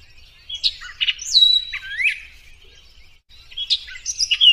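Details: Orchard oriole (Icterus spurius) song: a quick, varied jumble of clear whistles, slurred notes and short chattery bursts, with a brief pause in the middle and no other sounds; used as training song for cage birds.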